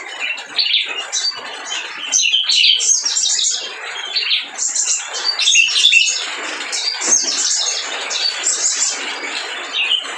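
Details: Lively spiderhunter song meant as a lure to stir birds that are reluctant to sing: bursts of shrill, twittering high notes and quick chirps come in clusters every second or two over faint hiss.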